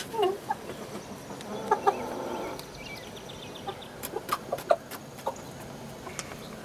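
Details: Chickens on 07-06-2016: a drawn-out harmonic hen call around the two-second mark among soft clucks, followed by scattered sharp clicks and brief pecking-like taps.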